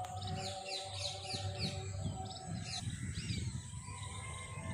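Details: House sparrows chirping: short, bright chirps in quick clusters through the first three seconds, then sparser notes, over a steady low rumble of background noise.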